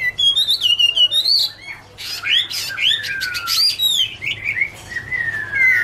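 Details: Chinese hwamei singing in autumn, a varied medley of trilled whistles, buzzy clicks and long clear falling slurs, loud phrases broken by a brief softer pause.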